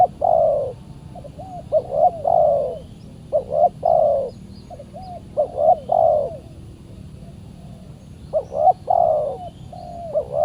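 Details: Spotted dove reacting to a decoy bird, described as very fierce; continuous run of cooing phrases, two quick notes and a long coo repeated roughly every two seconds, softer hoots interspersed.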